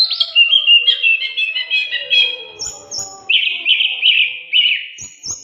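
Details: Oriental magpie-robin song used as a training recording for other songbirds: rich run of whistled and chattering phrases, slurred notes sliding between pitches, then a repeated burst of buzzy trilled notes with thin high whistles over it.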